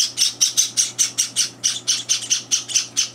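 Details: Begging by young Java sparrows during feeding, older birds intruding on the meal: steady series of shrill, raspy chirps, roughly every quarter second, high and buzzy, indoors with a low steady hum.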